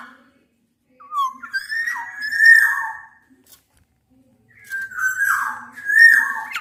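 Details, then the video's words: Black-naped oriole challenging a rival, blended from Javan and Sumbawa males and females: long clear whistled notes, slightly wavering, in two bouts split by a silent pause of about a second and a half. "kepodang gacor MENANTANG LAWAN ini sangat ampuh membuat agar burung podang gacor nyaut emosi"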